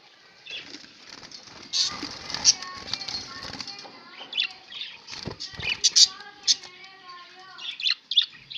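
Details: Pet budgerigars recorded on 11 October 2016, several birds giving busy warbled chirps and squeaky notes with wing flaps, over a low steady humming tone and faint voices in the background.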